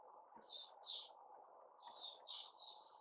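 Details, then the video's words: On 29 August 2021 a white-rumped shama gives a few clear whistled notes. After a short pause comes a quickening run of bright, slurred whistles, all over a low background hum. "Puteh Raja Sing Buka"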